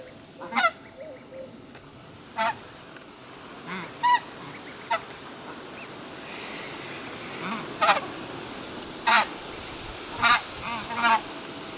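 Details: Emperor geese calling repeatedly across about twelve seconds: short, rasping, nasal honks spaced one to two seconds apart, some louder and clearer, over steady background hiss.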